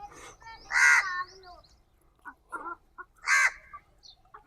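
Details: At a free-range desi poultry farm in India, a crow, known there to eat the hens' eggs, gives two loud, harsh caws about two and a half seconds apart, with softer chatter and clucks between them.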